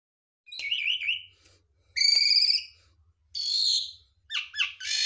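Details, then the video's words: Javan pied starling, Garuda mompa type, singing full mimicry fills of other birds' sounds for songbird training: four separate high phrases, a wavering whistle, a buzzy harmonic burst, a rasping note and quick rising chirps, with silent gaps between. "JALAK SUREN GARUDA MOMPA, isian full"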